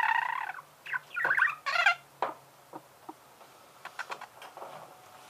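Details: Pet budgerigar giving a few harmonic squawks and warbles at first, then fading to scattered soft clicks and ticks.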